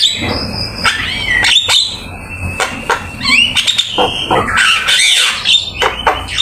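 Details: Lively black-winged myna song meant as a training master, packed with varied content: sharp clicks, whistled upward and downward sweeps and harsh rasping notes tumbling together in a dense, busy stream.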